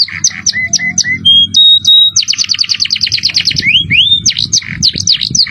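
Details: Canary masteran song, cengkok mewah style with shrill jerih voice: short chirps, sustained high whistles, then a fast even trill of around a dozen notes and rising slurs, with faint low hum beneath.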